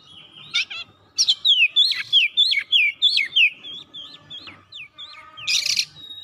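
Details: Oriental magpie-robin in gacor song, seeking an opponent: rapid swooping whistled notes after a short rasp, fading to softer whistles and ending in a loud harsh burst, with faint low background noise.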